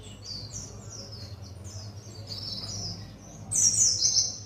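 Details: White-eye of the buxtoni type practising wild songs; a soft, high, sliding warble builds into a louder, dense, scratchy twitter in the last second, with a low steady hum behind it.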